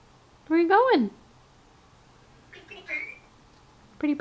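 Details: Pet African grey parrot, just over a year old, imitating human words indoors: a loud, voiced syllable that rises and falls in pitch, followed by softer murmured sounds and a short clipped utterance at the end.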